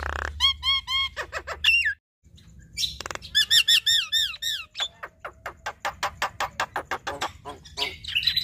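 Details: Javan myna pair, male and female, singing in duet: repeated slurred whistles in quick series, a brief pause, then more downward-sliding notes and a run of sharp clicking chatter.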